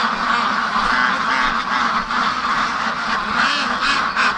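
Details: Free-range domestic ducks crowd in their pen, whipped into a frenzy and eager to be let out for their morning rush to the lake. A dense, continuous chorus of overlapping quacks and harsh calls is heard, with no clear break.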